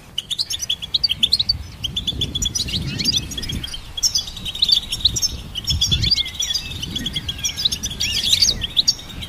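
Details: Goldfinch song as a running, twittering warble of high notes, with a thin sustained buzzy tone and rushing low background noise.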